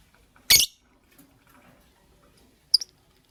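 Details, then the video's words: Morning chirping from pet lovebirds, a green Fischeri and a pastel blue: one loud, rasping, high-pitched screech near the start, then a brief sharp double chirp near the end. "Lovebird Chirping Sounds"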